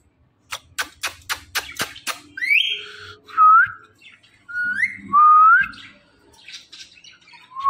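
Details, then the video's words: Pet talking parrot opening with a quick string of clicks, then a sequence of curling, rising whistles with rough squawky edges, ending on a short clear tone. "this Parrot talking are non stoppable"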